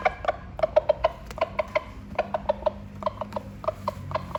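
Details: A rooster calls to hens with quick runs of short, low clucking notes, several a second, broken by brief pauses, over a faint background hum.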